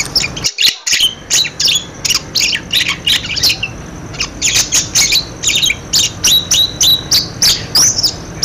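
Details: Budgerigar chatter meant to coax quiet budgerigars into calling: rapid, uneven series of short high squawks and chirps, about three per second, with a brief drop-out near the start.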